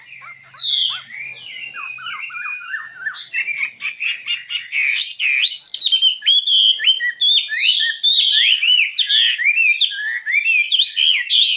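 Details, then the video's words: Long stretch of nightingale song: scattered chirps first, then an energetic string of sharp, sweeping notes and rapid repeated elements flowing almost without pause. "Best singing nightingale 2016"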